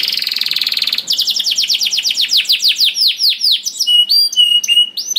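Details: Canary in continuous rolling 'ngerol' song, used as a lure to get other canaries singing: a dense buzzy trill opens, then quick downward-sweeping notes repeat rapidly before sharper high whistles and short flat tones.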